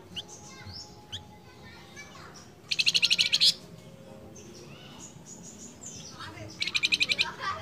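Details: Flamboyan bird, a lively male calling its female: two loud, rapid buzzy rattles of about eight pulses, each under a second, separated by soft varied whistles and chirps, with faint background chatter.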